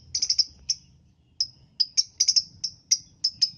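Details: Lovebird calling in the morning, a sound meant to prompt other lovebirds to sing: dense, irregular clusters of piercing high chirps, some doubled or tripled rapidly, with a faint low rumble underneath.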